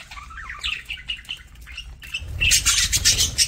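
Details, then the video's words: Parakeet eating: short rising chirps and twitters in quick succession, then a loud broadband rustling burst fills the last second, with flapping or crunching. "PARAKEET EATING SOUNDS"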